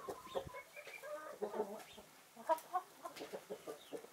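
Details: Naked Neck, Marans and Easter Egger chickens basking in winter sunshine: scattered soft clucks and short grumbling notes, some louder single clucks, separated by brief quieter gaps.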